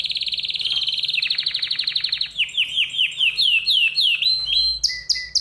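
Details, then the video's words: An agitated canary delivers a fast, buzzy rolling trill, then a series of separate slurred whistles sliding downward, ending in sharp high chips, over a steady low hum. "تغريد كناري هائج"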